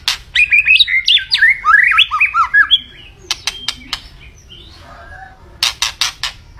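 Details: Energetic white-rumped shama singing a fast, jumbled stream of fluting, up-and-down whistles for two seconds, then scattered clicks and quiet notes, closing with a burst of harsh rasps.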